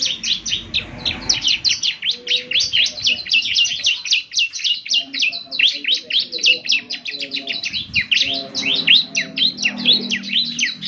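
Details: Gacor singing of a young Bar-winged Prinia, used as morning playback so other birds reply: dense, hurried bursts of high twittering notes, uneven in rhythm, with a soft low murmur underneath.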